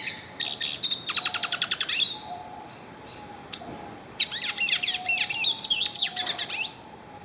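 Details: Yellow-faced siskin singing at length in the wild: bursts of rapid, high twittering trills and buzzy notes, separated by a short pause, with a faint low steady tone underneath.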